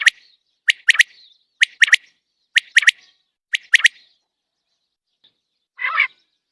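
A common quail gives its liquid three-note 'wet-my-lips' call, repeated about once a second, followed by a softer, buzzy rasp.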